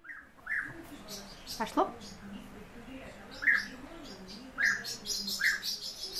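European bee-eater giving short, mellow rolling notes a second or so apart, with a low murmur of background voices and some clicks.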